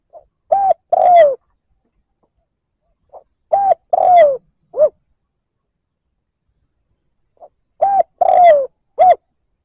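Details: Liêu lỡ coos of a spotted dove decoy used to provoke wild doves: three phrases spaced about three and a half seconds apart, each a faint note, short coo, long hoarse downslurred coo and brief closing coo.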